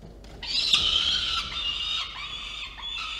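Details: Peregrine falcons at the nest in Orange, New South Wales, recorded 18 November 2022 while playing about: one drawn-out, squealing harmonic wail lasting nearly three seconds, wavering slightly in pitch, over low background hum.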